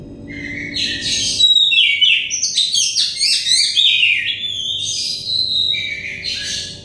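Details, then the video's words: Oriental magpie-robin song used as therapy for stressed, untrained birds to get them singing: rich whistled phrases, rising and falling, densely varied and loud after a quiet first second with faint low hum. "terepi kacer bahan kacer setres kacer daon cepat gacor ngeplong"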